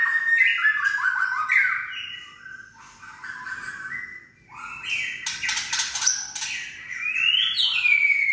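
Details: White-rumped shama in kretekan style, a rattling song played to excite other shamas into singing: descending whistled runs, a softer quiet stretch, then dense crackling rattles and rising whistled sweeps.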